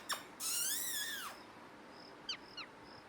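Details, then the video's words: Parrot uttering one long, drawn-out screech with rich overtones that arches up and then drops, followed by a few short, faint downslurred chirps over low background hiss. "Parrot Natural Sounds"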